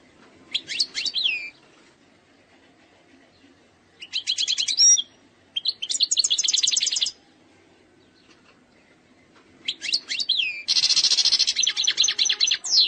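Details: Algerian goldfinch in the eastern 'sector sharqi' song style, error-free: several separate bursts of high twittering, rapid ticking trills and one long buzzy rattle, separated by pauses of about two seconds.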